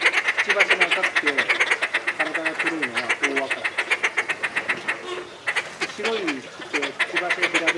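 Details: Incessantly calling Inca terns in a Tama Zoo enclosure, Japan, July 2019: a run of harsh clipped rasps, somewhat slower and uneven, with people talking in the background and a short gap around five seconds.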